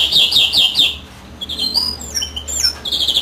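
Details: Greenfinch song with the female incubating: a rapid series of five repeated descending chirps, then thinner whistled notes and a final buzzy phrase.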